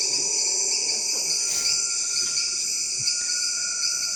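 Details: A tinamou, a ground-dwelling bird, gives a long, pure, steady whistle rising very slightly, held about three seconds over a dense, shrill chorus of forest insects.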